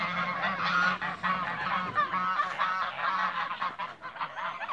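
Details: In a backyard, a group of Toulouse geese give choppy, irregular honks, a little over two per second. The honks rise and fall in bursts over a steady low drone.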